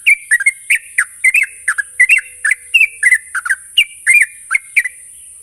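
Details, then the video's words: Lure recording of a sooty-headed bulbul (trucuk), meant to coax birds into rapid, sustained singing: brisk runs of bubbly, slurred chirps and short whistles, densely packed with brief pauses, a constant thin hiss behind. "pancingan burung trucuk bahan agar cepat ngropel"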